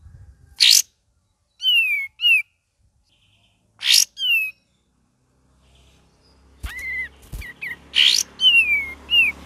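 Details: Cream-vented bulbul in gacor and ngeriwik song. Raspy bursts alternate with short descending and hooked whistles in pairs. In the second half the whistles repeat over a low steady hum.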